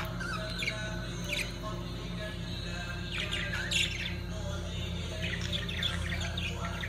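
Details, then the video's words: Lovebirds during mating give bursts of shrill, squeaky chirps in three clusters over a steady low hum, possibly with faint music. "طيور الحب عندالتزاوج"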